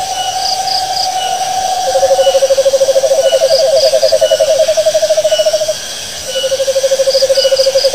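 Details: Owl giving long rapid trills: a higher steady trill gives way to a lower, louder pulsed trill that runs several seconds, pauses, then resumes, over a background hiss of insects with brief high chirps.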